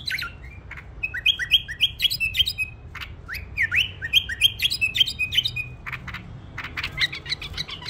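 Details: Tame pet bulbul singing: rapid runs of bright, slurred whistled notes, mostly rising and falling in quick series of four to six, with brief pauses and some sharp chattering chirps near the end. Low background hum throughout.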